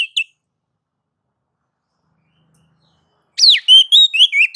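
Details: White-rumped shama singing in ngobra and nagan mode to provoke other shamas: two brief whistles, a long silence, then a steep falling whistle followed by four loud rising and level whistled notes.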